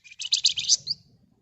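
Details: Red-whiskered bulbul in one short burst of nyerecet song: a rapid high buzzy rattle of about six pulses ending in a falling note, with faint low hum beneath.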